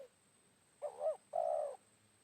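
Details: Spotted dove, a wild bird answering a decoy during trapping at midday after morning rain; a two-part rising-falling hoot followed by a long, level, slightly rough coo, clear against quiet background with a faint high hum.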